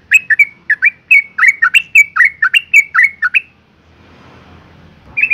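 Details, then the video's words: A female Yellow-vented bulbul in breeding condition calls to attract males, used as a lure: a fast run of about fifteen bubbly, chirping notes over three seconds, then a short pause before one more note begins. "suara panggilan burung trucuk betina BIRAHI"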